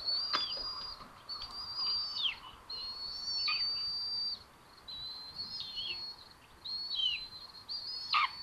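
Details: Two Common buzzard young sharing food in their nest at Tiszalök, Hungary, June 8, 2022: thin, high whistled begging notes, each held level and then dropping sharply, repeated about every second in an uneven series.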